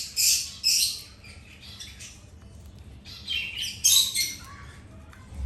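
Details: Birds chirping while eating: harsh, high, noisy chirps in quick clusters, one group in the first second and another around the fourth second, separated by quieter stretches with faint background rustle.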